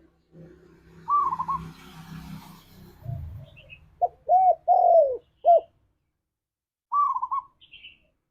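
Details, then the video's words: Tekukur (spotted dove) lure song in the 'ngalas' style for pet doves; low rumbling noise first, then a trilled note and a run of four soft, hollow coos, a final trill closing it. "Suara Burung Tekukur Ini Pancingan Tekukur Gacor Suara Ngalas"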